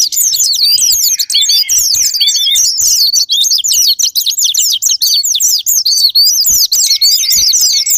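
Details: Pleci (Japanese white-eye) sparring lure meant to make other birds sing: a long, dense run of shrill chattering squeaks and fast up-down slurs, intense and nearly unbroken throughout.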